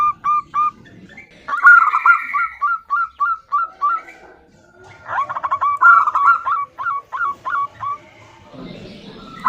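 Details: Local zebra dove female calling the male: well-spaced short cooing notes, then fast trilled runs of clipped, upturned notes. A brief buzzy overlay appears, and a faint low rumble is heard near the end.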